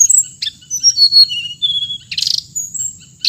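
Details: Hồng hạnh bird giving long sliding high whistles that fall in pitch, broken by harsh buzzy chirps, over a steady shrill whine.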